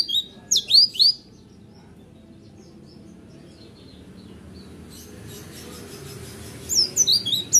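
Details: Oriental white-eye, a kept bird, gives two short bursts of roll tembak song, a few high sharp chirps at the start and again at the end, with a long, quiet hissy gap between.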